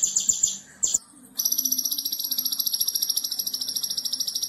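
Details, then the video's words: Konin singing in a training recording for other songbirds, with tembakan bursts: a few sharp high notes, a pause, then a steady shrill trill of rapid even pulses lasting about three seconds. "Masteran Konin Jawara - Tembakan Extra Super Pedas - Masteran Konin Gacor Full Tembakan"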